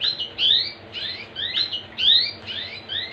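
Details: Canary song used to prompt other canaries to sing: repeated rising whistled sweeps, each a bright upslurred note with a lower echoing slide, given in clusters about every half second with little background.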